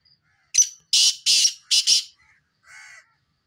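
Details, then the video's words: Grating call series from a black francolin: a short sharp note, two drawn-out rasping notes, a rapid doubled note, then a quieter lower-pitched buzz, in a quiet setting. "kale titar ki mast awaz"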